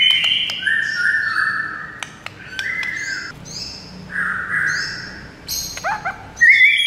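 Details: White-rumped shama (murai batu) singing long, flat, buzzy whistles separated by clicks, then a burst of quick high notes and a bright closing whistle.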